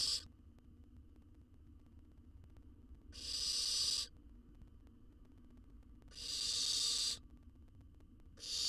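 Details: Nestling owl in an Israeli research nest box, wild, gulping down a whole jird. Rough hisses about a second long recur at uneven gaps of two to three seconds, with one cut off at each end.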